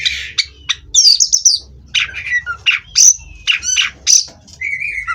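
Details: Captive-bred Oriental magpie-robin singing a varied song of short whistled notes, high sweeps and buzzy chirps, delivered in quick bursts with brief pauses between them, ending on a lower repeated warble.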